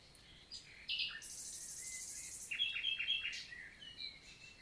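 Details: Morning song of a common nightingale (Luscinia megarhynchos), 11 June 2023, La Vallée du Célé, Lot, south of France, countryside forest in summer: a sharp note, a long harsh high buzz, then a quick series of clipped repeated notes.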